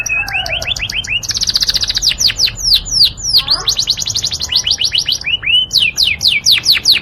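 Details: Yorkshire canary singing a sweet, melodious song used as a tutor recording for training: fast runs of repeated upswept whistled notes, rolling trills and sharp chips, changing pace every second or so, with no other clear sounds.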